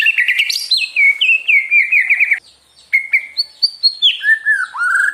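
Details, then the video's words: White-rumped shama song meant to provoke other birds into singing: clear whistled notes and trills, a short pause, then stepped phrases falling from high to lower whistles. "PANCINGAN MURAI BIKIN CEPAT EMOSI | SHAMA BIRD"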